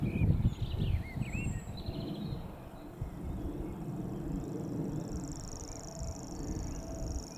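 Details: Reeling song of a grasshopper warbler, Totteridge Valley, 6 May 2017. A faint, steady high mechanical trill fades in halfway through and continues to the end, after a few brief whistles and chirps from other birds over low rumble.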